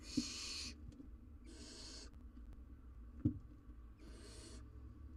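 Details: Young barn owl, wild and filmed on a live cam, biting into an oversized jird. Three harsh hisses of about half a second each come with irregular gaps between them. Two sharp knocks are also heard.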